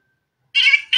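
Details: Green desi parrot playing in front of a mirror gives two short, harsh, noisy calls close together, the second cut off at the end.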